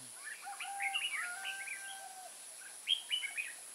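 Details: Trap decoy Red-whiskered bulbul singing in Kim Bôi, Vietnam, on 14 May 2018 to draw wild birds in: chattering runs of quick whistled notes, a pause, then another brisk phrase, with lower drawn-out whistles from other birds behind.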